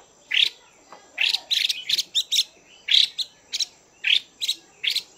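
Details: Female Chinese hwamei stirring males with loud, scratchy chattering notes in irregular quick groups, some softer slurred sounds in the gaps.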